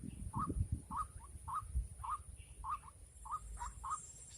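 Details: White-breasted waterhen calling in the rainy season, while someone tries to lure and trap the birds. Short, croaking notes repeat about every half second, roughly nine in a row, over low rumbling background noise.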